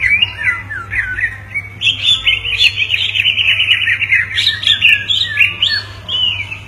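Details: Two greater green leafbirds calling back and forth: short whistled notes, then a long continuous warbling run, over a steady low hum.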